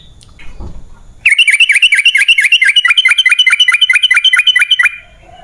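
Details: Fast, steady string of bright chirped notes from a sooty-headed bulbul, about twenty in under four seconds, used as a lure song to prompt wild birds to answer, beginning abruptly after near silence.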